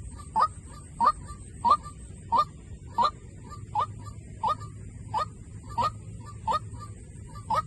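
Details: Decoy call of a White-breasted waterhen, a steady series of twelve loud, abrupt croaking notes spaced about two-thirds of a second apart, with a constant thin high hiss and soft low hum behind.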